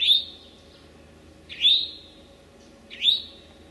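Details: Late-morning Eastern towhee, May 25, 2011, in Sudbury's Memorial Forest or Marlborough's Desert Natural Area, Massachusetts. Three single high notes, each rising sharply then trailing off, spaced roughly a second and a half apart against a quiet backdrop.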